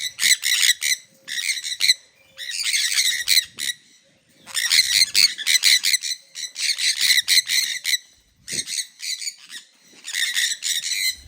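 Sun conures give loud, harsh, grating shrieks in rapid bursts, one after another.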